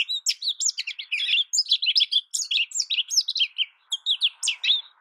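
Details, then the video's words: High, sweet twitters and rising and falling slurred whistles from an American goldfinch, run together into a lively warble, with a faint low hiss in the background near the end. "American goldfinch Bird Sound, Bird Song, Bird Call Bird Calling Chirps, Birds Chirping Melody"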